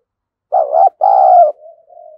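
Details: Decoy spotted dove cooing to attract wild doves, in the thổ sấm voice style: one mellow, hollow phrase of a brief wavering coo followed by a fuller sustained coo, trailing into a soft low hum.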